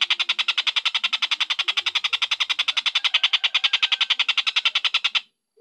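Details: Collared kingfisher (tengkek buto), long cackling call: a dense, even train of harsh, scratchy kek notes about nine per second for five seconds, then stopping abruptly into silence; used as tutor audio for lovebirds.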